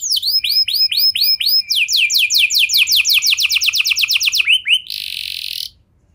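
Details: Canary singing as a lure to set other canaries singing: a series of slurred whistled notes, then a fast trill of repeated descending notes, a couple of upward slurs and a short harsh buzzy burst before falling quiet.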